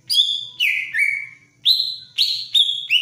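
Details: A greater green leafbird in breeding mood sings four strong whistled phrases in three seconds. Each starts high, then falls to a long level tone, and the phrases are separated by short gaps.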